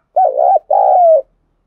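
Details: Spotted dove call, used as a lure to attract wild doves: two low, mellow cooing notes, the first short and wavering, the second longer and steady, separated by a brief gap.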